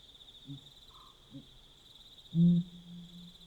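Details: In the Botswana night, a Pel's fishing owl gives soft low notes, then one loud, deep, resonant hoot with a lingering hum, while insects drone steadily in the background.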